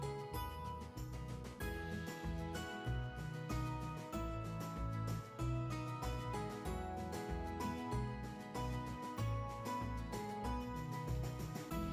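Gentle instrumental music with steady low bass notes and sustained tones, and no animal sounds.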